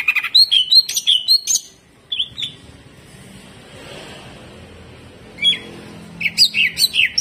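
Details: Greater green leafbird in hyper jamtrok singing with rough shots: quick clipped chirps and whistles at the start, a long quiet stretch with isolated notes, then fresh rapid chattering.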